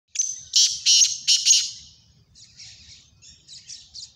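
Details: Black francolin giving four loud, harsh, grating notes in a rapid series during the first second and a half, followed by a run of fainter, softer chirping notes until the end.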